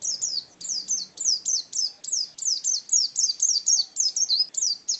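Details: Pet contest white-eye, called pleci, giving a brisk series of thin high chirps, nearly four per second, each note dropping in pitch; a faint low hum sits underneath.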